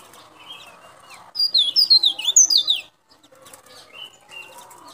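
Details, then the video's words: Local white-breasted white-eye of Baubau, Buton, Sulawesi, singing to attract wild white-eyes: a fast run of thin, high descending twitters lasting about a second and a half, framed by softer chirps. "Suara Pleci Daput Lokal Sulawesi (Baubau Buton) Bagus Untuk Pikat"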